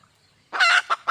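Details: Red junglefowl hen, a wild bird, calling for a mate: one harsh, buzzy note followed quickly by two shorter clipped clucks, with near silence before.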